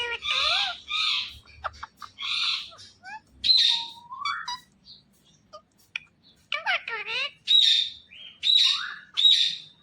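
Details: Indian ringneck parakeet, green talking parrot that also dances, giving a long stream of mimicked speech-like syllables, gliding whistles and rasping screeches, with loud shrill calls repeated near the end.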